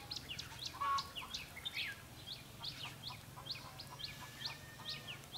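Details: Red-whiskered bulbul decoy singing to challenge rivals during trapping on 5 November 2016, a rapid series of sharp, short chirps and twittering notes, repeated irregularly over a steady low hum.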